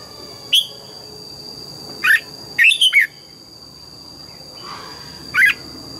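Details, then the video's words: Red-whiskered bulbul singing in the morning in forest double-note style: a sharp whistle, a paired phrase, a quick three-note run, then a final clear whistle after a pause, over a faint continuous whine. "Luyện giọng chào mào hót sáng, ép chào mào hót âm kép già rừng hay tuyệt!"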